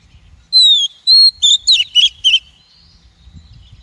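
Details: Female Oriental magpie-robin calling, used to stir up and train wild-caught males and to lure them into traps: one phrase of a long falling whistle, a level whistle, then three quick buzzy notes, over a faint low rumble.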